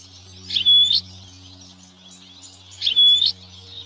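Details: European goldfinch out in nature amid scenic surroundings, giving two short, high, bright notes with a buzzy edge, spaced about two seconds apart over a faint low hum.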